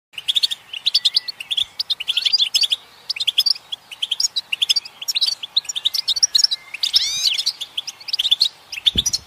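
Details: European goldfinch song: a fast, liquid twittering of sharp high chirps and short trills in quick bursts. A cluster of swooping, rising whistles stands out near the end, followed by a brief low thump.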